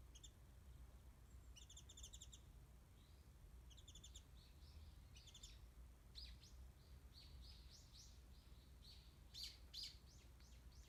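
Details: Distant warbling white-eye in a backyard garden where mandarin oranges are put out, recorded on a smartphone; bursts of high, quick twittering notes repeat through the clip, with a few sharper rising chirps near the end over low rumble.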